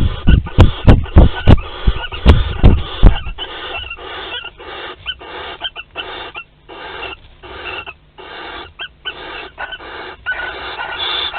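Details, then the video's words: Barn owl pair courting and mating at a webcam-watched nest in Théding, France, 25 May 2020: a few low knocks and thumps open, then rapid, repeated short raspy hisses, several per second. "Câlins et accouplement"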